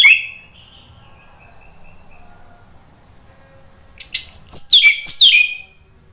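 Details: Orange-headed thrush song for prompting a silent bird. A brief loud note, a long quiet thin whistle, then a short closing burst of sharp, descending whistled phrases.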